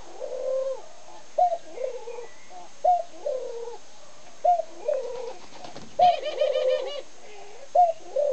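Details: Male ringneck dove cooing faster and livelier than the others; low soft rolling coos repeated in short bursts about every one and a half seconds, with a steady faint background hum and a brief high chirping from another bird.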